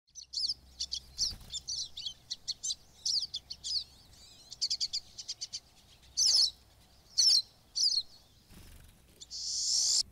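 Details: Pine siskins in the boreal forest of Maine give rapid, high, thin twittering chirps in irregular bursts. A harsh, drawn-out buzzy note closes the sequence.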